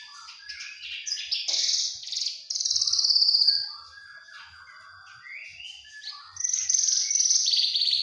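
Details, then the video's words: Juvenile Javan bush lark delivers loud buzzy trills and a long sustained high note, falls quiet with faint scattered chirps, then returns with a bright rising twittering phrase, recorded for song mastering. "Anakan branjangan"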